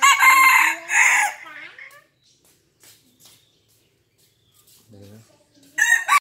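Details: A five-month-old red junglefowl crows very fiercely: a loud, harsh, clipped crow that trails off, then starts another at the end; a faint low voice is heard between them.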